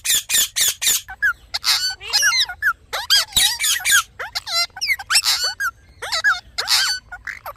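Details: Rose-ringed parakeet, a ringneck parrot; nearly continuous mix of loud harsh squawks and whistled, swooping tonal notes, some rising and some falling, in a busy, chattering stream.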